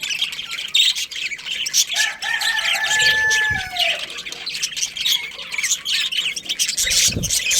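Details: Morning crowing of a pet rooster kept with hens, chicks and budgies at Lalukhet bird market. One drawn-out harmonic crow runs through the middle, over constant high budgie chattering.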